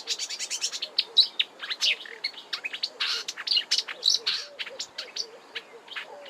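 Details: Fast, rambling marsh warbler song recorded in March at Kap River Nature Reserve, Eastern Cape, South Africa, full of repetitive high chirps, buzzy notes and mimicry, with a soft lower chirping call from another bird repeating beneath.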